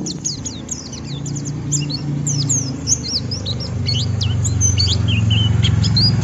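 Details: White-eye ngeriwik song aimed at stimulating other white-eyes: high thin chirps and curling squeaky whistles in a rapid jumble, partly masked by a steady loud low hum growing stronger toward the end.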